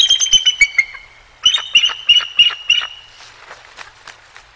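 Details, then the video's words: Bald eagles at the Decorah North nest in February 2023, a pair calling close together: a burst of thin, high chirping squeals in stuttering runs, then quieter fading notes. "EAGLES VOICES"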